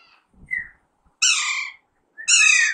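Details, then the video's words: Alexandrine parakeet, a young bird in talking training. A short falling whistle comes first, then two long, loud, grating squawks, each nearly half a second or more. Quiet low murmurs are heard at the start. "Alexander parrot natural sound"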